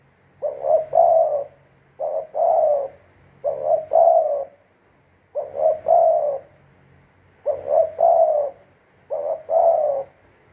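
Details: Six evenly spaced double coos from a captive spotted dove used as a decoy for trapping: a clipped first note and a fuller hoarse second note, with quiet gaps between.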